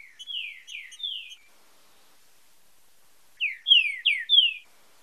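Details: Green-winged saltator, 'fibra com marcheado' training song: a softer phrase of falling whistles with faint ticks, then a louder run of four clear downslurred whistles after a pause.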